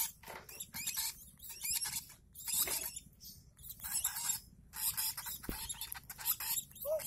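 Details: Lovebird chick, one month old, during hand-feeding, makes uneven bursts of thin, high, rasping begging squeaks mixed with scraping and handling sounds.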